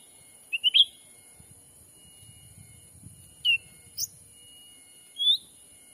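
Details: Black-capped bulbul call used as a lure for wild birds in a Sumatran forest: a quick stuttered chirp trio, then single whistled upslurred notes, over low rustling and a steady whine.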